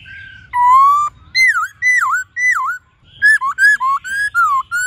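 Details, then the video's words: White-cheeked laughingthrush singing many-voiced forest-style song: a long steady whistle, three dipping whistled notes, then a brisk chain of short slurred whistles. "Khướu Hót GIỌNG RẤT HAY- NHIỀU GIỌNG.giọng rừng"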